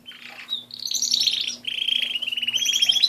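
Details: Pet canary singing a fast, rattling trill that speeds into a rhythmic pulsed roll, with higher sweet notes layered above and a soft steady hum in the background.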